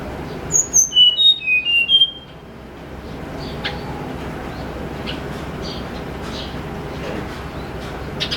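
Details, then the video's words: Morning song of a snowy-browed flycatcher used as a lure: about seven high, pure whistled notes stepping downward in under two seconds, then a long stretch of faint background noise with distant chirps. "PANCINGAN SUARA BURUNG TLEDEKAN GUNUNG GACOR"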